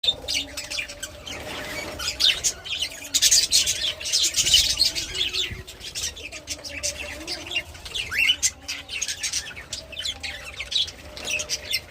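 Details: A pair of budgerigars chatter in a steady stream of high, scratchy chirps and warbles.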